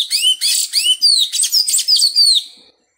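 Sayaca Tanager singing a fast, high, squeaky run of thin slurred notes, about eight quick phrases over two and a half seconds, then silence.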